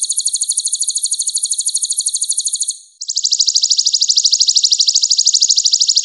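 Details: Masteran track of the purple-throated sunbird, called kolibri ninja in East Java: a bright, even, fast trill for about three seconds, then a slightly lower, denser buzzing trill continuing to the end.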